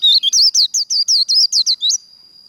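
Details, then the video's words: Japanese white-eye giving contest-style líu twitters: about a dozen quick, bright, wavering high notes in under two seconds, ending in a thin lingering tone. "Vành khuyên líu đấu | SIÊU HAY Khuyên líu kích bổi | Kích lửa vành khuyên líu đấu"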